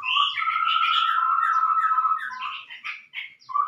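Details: Chestnut-rumped babbler call used for luring: a continuous level whistled tone beneath busy chattering for about two seconds, breaking into scattered chirps.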